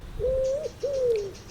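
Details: A pigeon (Columba livia) gives two smooth, hollow coos, each about half a second long; the first holds level and lifts slightly, the second slides downward.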